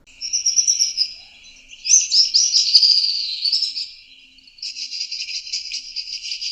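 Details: A Little Swift, a Southern African bird, gives high, shrill twittering trills, with bursts of rapid buzzy screaming that rise and fall over several seconds.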